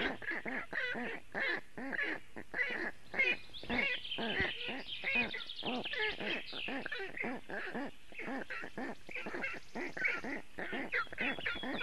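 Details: Black stork chicks in a nest in Latvia, on a webcam on a very hot afternoon, 2 June 2018, calling for cooling: dense, rapidly repeated harmonic squealing calls about twice a second, overlapping voices, with faint high chirps in the background.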